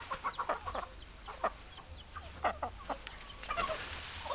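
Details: Domestic chickens, hens with roosters, giving a busy run of short clucks, mostly mid-pitched with a few sharper notes, overlapping in irregular bursts over a low steady hum.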